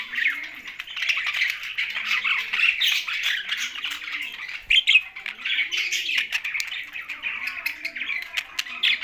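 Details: A group of budgies kept alongside a parrot, Larkana, Sindh: nine seconds of unbroken high chattering and squeaky chirps, with soft low cooing notes recurring about every one and a half seconds.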